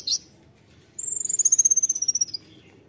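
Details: Konin singing in the tembakan style: a short high chip, then a fast run of about fifteen piercing whistled notes that slide gently downward, lasting about a second and a half, over faint low background hum.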